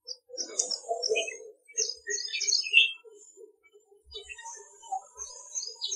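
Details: In India, a Red-vented Bulbul gives bright, chattering chirps in quick bursts over a steady run of soft, low notes about twice a second, with thin high twitters from other birds.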